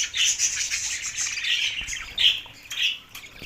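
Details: Budgerigars going crazy with mating in Larkana, Sindh, March 9, 2024: bright warbling chatter that fades and returns in uneven bursts, some notes squawky, others thin and whistled.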